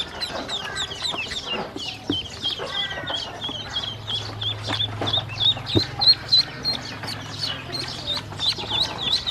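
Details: Baby ducks, hungry and being fed by a woman, keep up a busy chorus of high peeps and short cheeps; a steady low hum runs underneath for part of the time.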